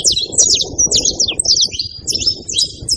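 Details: Saffron finches in a group give clear, high, sharp chirps and short whistled notes in quick succession over a steady mid-pitched background rumble.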